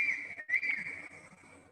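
A Crested Serpent Eagle gives a loud, high, clear whistle, held almost level, briefly broken early on, then slowly fading.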